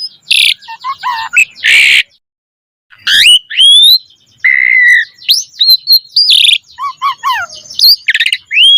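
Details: Asian pied starling in full, rich song used as a lure for other starlings: two loud rasping bursts, a short silence, then a jumble of whistled slurs, chatter and harsh notes.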